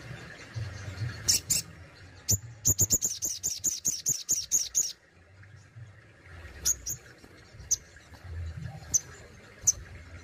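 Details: A kept sogon (Crested Jay) showing besetan and tembakan: two high notes, then a fast volley of about a dozen sharp, cracking high clicks over two seconds, then sparse single piercing notes and a soft background drone.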